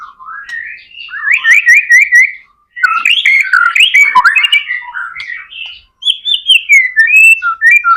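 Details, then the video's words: White-rumped shama singing to encourage other shamas to sing: rising whistles and rapid repeated notes in bursts, separated by two short silences, varied melodic phrasing throughout. "MURAI BATU GACOR AMPUH BUAT PANCINGAN MURAI BATU AGAR CEPAT BUNYI JADIKAN BURUNG MURAI GACOR"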